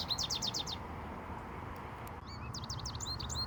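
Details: Male American goldfinch singing in Iowa, recorded handheld at close range: a quick burst of high repeated chirps, a short pause with faint clicks, then varied swooping twittered notes resuming.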